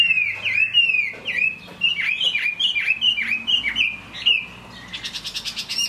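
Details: ['Chinese hwamei singing in rain, giving a run of sharp down-slurred whistles that swoop and rebound, several per second, ending in a burst of rapid buzzy, harsh notes.']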